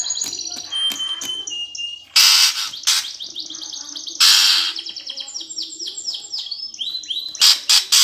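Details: Greater green leafbird fighting song in 'gereja tarung' style, played to provoke contest birds: sharp high notes and thin whistles, interrupted by several loud harsh rasping bursts between rapid series of descending chirps.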